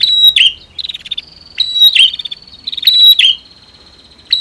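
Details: Prenjak, female against male, to prompt singing: continuous buzzy rattles with sharp descending click notes, bursts close together about every second.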